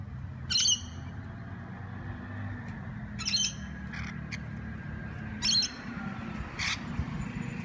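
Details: Wild rainbow lorikeets in Sydney, Australia: three loud, harsh, buzzy screeches spaced about two to three seconds apart, with a few shorter chirps between and a steady low rumble of background noise.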